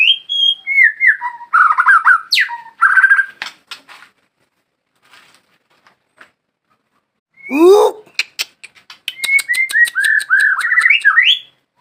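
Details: White-rumped shama song of varied whistled phrases and chattering ticks, pausing for a few seconds, then a loud upward swoop followed by a fast ticking run of rising whistles.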